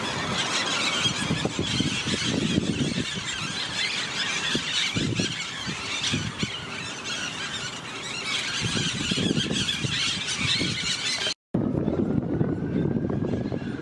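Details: A flock of green parakeets in Harlingen on 11 September 2023 gives a dense, continuous wash of harsh, shrill screeches over low traffic rumble.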